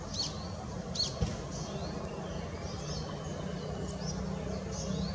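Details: A juvenile northern goshawk, excited as food arrives on 20 June 2016, gives thin, high, slurred begging whistles every half second to second over a steady low background rumble.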